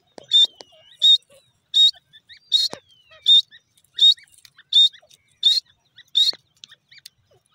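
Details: Grey francolin, of the type called Irani gora teetar, giving a steady series of short, sharp, high, harsh notes, about one every three-quarters of a second, with faint clicks between them in an otherwise quiet setting.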